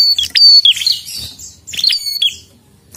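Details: Two loud bursts of high piercing prinia chirps mixed with clicks, from a bird singing keenly.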